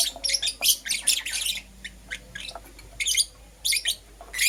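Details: Lovebirds, Euwing Green Opaline and Lutino, in the morning: clustered scratchy high chirps and squeaks in a busy opening run, then a pause and scattered harsh chirp groups.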